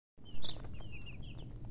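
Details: Chicken chicks chirping: a short run of high, thin peeps, with one louder chirp near the start followed by softer sliding notes over a steady low background hum.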